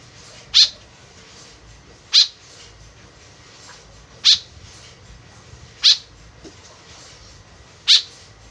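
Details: Lure recording of a white-breasted woodswallow: five abrupt, scratchy call notes at uneven intervals of roughly one and a half to two seconds, with little else audible.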